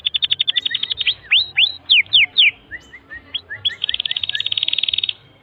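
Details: Canary tutor song for young birds learning to sing: a quick chattering trill, then slurred whistled sweeps and short chips, ending in a fast even high buzzy roll.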